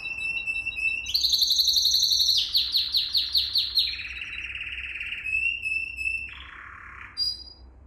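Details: Canary singing a training song for young birds: a thin steady whistle jumps into rapid high pulsed rolls, descending through chopped repeated notes to a lower buzzy trill and a final sharp note.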